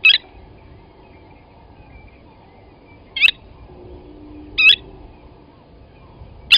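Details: Blacksmith lapwing (Vanellus armatus) at Gowrie dam waterhole, Djuma Game Reserve, Sabi Sand, South Africa, 07:47 on 29 Aug 2020, where an adult grabbed a chick from the nest and killed it; four sharp metallic 'tink' notes at irregular intervals over a faint hum.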